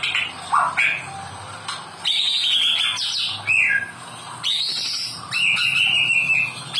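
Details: White-rumped shama song aimed at rousing caged birds that have gone quiet: clear whistled phrases, some rising steeply, alternating with trills and brief sharp notes.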